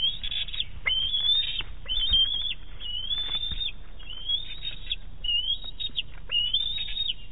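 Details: Eaglet of a bald eagle pair on its nest during a fish hand-off from its mother, May 7 2018: repeated high, thin squealing notes, sliding and wavering, roughly one per second, over steady low background rumble.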